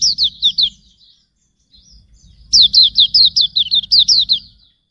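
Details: White-eye of the auriventer form singing: a short run of high chirps, a pause, then a dense volley of rapid sliding notes lasting about two seconds.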